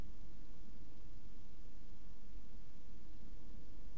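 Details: Only constant hiss and low rumble fill the recording, with no animal sound.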